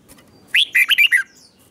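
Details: Caged red-whiskered bulbul sings one brisk phrase of about five bright, bouncing notes in the doubled 'เบิ้ล' style, played slowly and clearly for young birds to learn.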